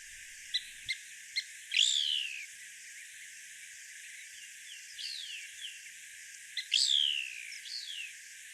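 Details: Couch's kingbird (Tyrannus couchii) contact call: short, sharp kip notes, then two louder, slurred descending calls about five seconds apart, over faint hiss.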